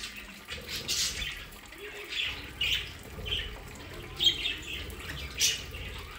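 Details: Pet budgerigars in an aviary play area in the Den Haag region, South Holland, Netherlands, giving soft scattered chirps and warbles, with splashing water throughout and a faint voice in the background.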